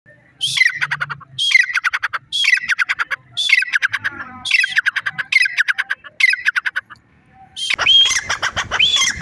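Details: Grey francolin calling near its chicks: a series of loud, harsh, ringing notes, each a rapid burst of stuttering pulses, repeated about once a second. The series ends in a louder, broader, noisier burst.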